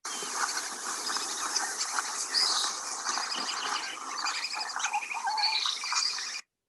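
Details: A flock of West Indian whistling ducks in Cuba, whistling to each other, keeps up a dense, overlapping chatter of shrill, squeaky whistles and chirps with no pauses breaking the steady noise.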